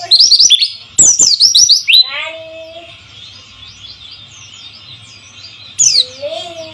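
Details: White-eye song meant to lure quiet birds into singing, set against trickling flowing water: a fast twittering burst of high chirps, a lower whistled note, then steady water murmur and one more short chirp near the end.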